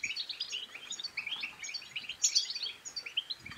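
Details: European goldfinch song to encourage another goldfinch to sing, a bubbling run of liquid twitters climbing to a couple of sharp high notes, fairly quiet background.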